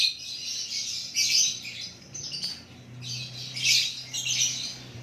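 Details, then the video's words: Ongoing white-rumped shama song of bright, high scratchy and whistled phrases rising and falling in loudness, over a constant low background hum. "Lakbet super kicauan natural"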